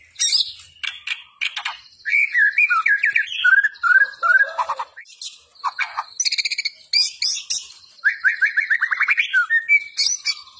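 White-rumped shama singing an energetic, nonstop song of rich whistles, rapid rising trills and harsh chattering notes, changing phrase every second or so.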